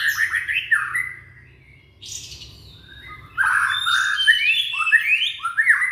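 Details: Young white-rumped shama from Indonesia, singing as a lure for shamas that stopped singing: swooping whistled phrases, a brief pause with a soft buzzy note, then loud fluid rising and falling warbles.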